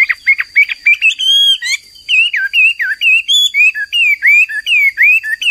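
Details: Energetic, persistent song of a Chinese hwamei, or wambi, a caged songbird: a run of loud, clear, slurred whistles bending up and down, phrases following each other almost without pause, with a faint steady high hum behind.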